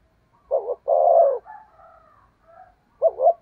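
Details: Caged decoy spotted dove cooing in the thúc gù style meant to draw in wild doves: a wavering double note, then a long steady coo, with faint softer tones trailing after and a new phrase starting.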